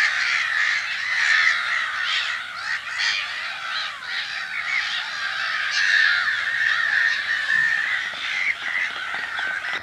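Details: A dense chorus of black-headed gulls at their spring nesting colony, Brenne, Berry, France, mid-March 2012: harsh rasping kwarr calls overlapping constantly, several each second, with no pause.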